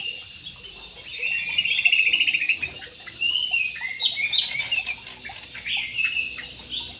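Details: Parakeets in an aviary giving harsh, buzzy chattering calls in irregular bursts, loudest in the middle and continuing steadily, with several squawks overlapping at times.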